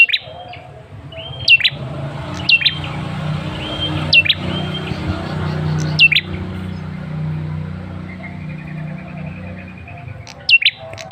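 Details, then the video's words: Male red-headed tailorbird used as a lure call: scattered sharp high downslurred chirps and brief level whistles, with a gap in the middle filled by low rumbling background noise before chirps return at the end. "Suara pancingan Prenjak Kepala Merah jantan"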